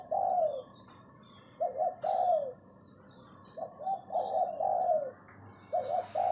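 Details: Lure calls of a captive decoy spotted dove: separate phrases of throaty coos, each sliding downward, spaced by quiet gaps of about a second, with high thin chirps from other birds.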